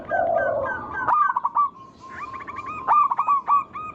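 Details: Local natural zebra dove singing as a lure for other doves: a low rolling purr opens, followed by quick stuttering coo notes that build into a fast, repeated staccato series.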